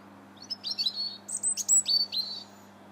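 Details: Robin singing in Bath's Linear Park on 21 January 2017, a quick phrase of high thin notes, some sliding down, others pitched very high, about a dozen elements in two seconds.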